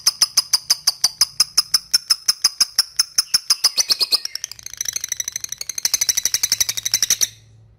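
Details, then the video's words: Lovebird ngetik chatter, a call to a rival used to coax young birds into chattering: a long, rapid string of sharp, high pulses, then a brief softer stretch, then a denser, harsher burst before it stops. "LOVE BIRD NGETIK MEMANGGILLAWAN AGAR RAJIN NGEKEK"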